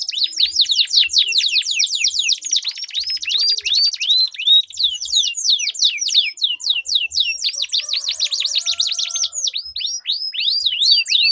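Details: Duelling canaries in sweet, long rolling song, offered as a tutor for contest birds and to set quiet canaries singing; eleven seconds of nonstop high slurred notes alternating with buzzy, fast rolls.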